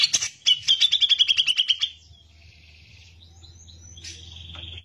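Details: Grey-cheeked bulbul singing loudly for use as a tutor recording: a fast series of about a dozen sharp, high chirps in quick rattling succession, then quiet soft squeaks over a low background hum.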